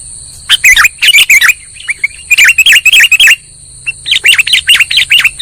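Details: Bird-trapping lure call of a sooty-headed bulbul: quick groups of curling chirps, three to six notes each, broken by short pauses, accompanied by constant high-pitched tonal hum.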